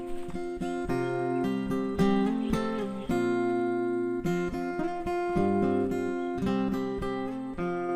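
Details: Strummed acoustic guitar music with plucked chords and bass notes throughout, steady and loud, with no animal voice heard.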